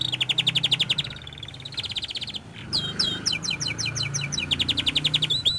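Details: Song of a young canary: rapid rolling trills of repeated notes, a brief pause, then quick downward-sweeping chirps and another fast trill, steady and loud over low background noise.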